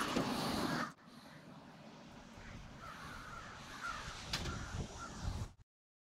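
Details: Crows staging in winter on Washington Street, Brattleboro, Vermont, 16 February 2021: a loud rushing burst opens, then faint, scattered harsh caws sound through a steady low rumble of town noise.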